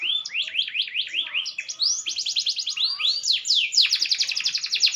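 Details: Green canary, said to sing better as it matures, delivers a fast, varied song: zigzag warbling notes, swift rising sweeps and dense rattling trills without pause.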